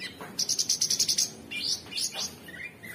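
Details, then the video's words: Fast rhythmic chatter of about ten pulsed high notes from an Orange-bellied Leafbird, followed by a few sweeping whistled slurs. "Cucak Cungkok Super gacor"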